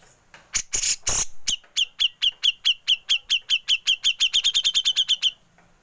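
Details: A grey-cheeked bulbul in ngepik style, recorded to train songbirds: a few harsh noisy bursts, then a long accelerating series of sharp high chips that gets faster toward the end.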